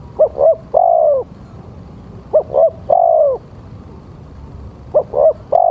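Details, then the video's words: Spotted dove, male, calling to lure birds: repeated phrases of two brief coos and one prolonged, gently descending coo, nearly three phrases in a row at steady intervals, with low rumbling background. "Suara Tekukur-Pancinga Tekukur"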